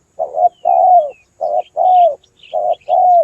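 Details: Spotted dove calling for bird luring, three quick phrases each pairing a short stuttered coo with a longer smooth falling coo; soft high chirps of small birds in the background.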